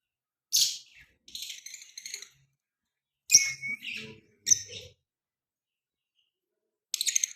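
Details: Baby pet parrot known for talking in Hindi gives raspy, high squawking chirps in several short bursts, including a brief whistled note, then a quick rattling burst at the end.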